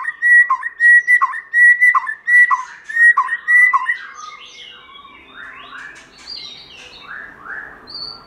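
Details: White-rumped shama in wild-type forest voice, kept for song training: a run of repeated whistled notes about every half second, each dropping at its end, then softer varied rising and falling phrases trailing off.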